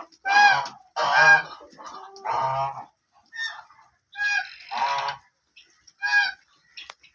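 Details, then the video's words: White and black ducks give loud, harsh, nasal quacks in bursts of about half a second, several calls over seven seconds with short pauses between. "ducks original sounds"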